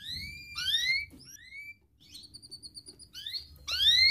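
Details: Young canary with a sharp voice, recorded as a training lure for juvenile and lazy canaries: rising and falling whistled phrases, a quick run of short repeated notes, then loud upward-sweeping whistles, over a soft low rumble.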